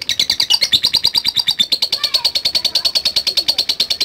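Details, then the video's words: Lovebird, lured into calling, gives the rapid ngetik or 'typing' call: a quick run of high, clipped chirps, steady and insistent, with faint lower squeaks in the background. "Love Bird Nyaut Dan Bunyi | Love Bird Ngetik Dan Latah"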